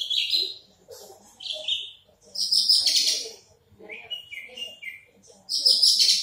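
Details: Song of a Horsfield's bush lark with a large body: alternating sweet high chirped phrases and harsher, very high buzzy bursts, each lasting about a second, with quiet murmuring beneath.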